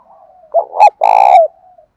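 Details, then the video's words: Spotted dove calling, male and female, aimed at stirring captive doves: a faint low hum leads into a short double note and then one long, loud, buzzy-edged coo that fades into a soft tail. "tiếng chim cu gáy kích bổi hiệu quả hàng ngày"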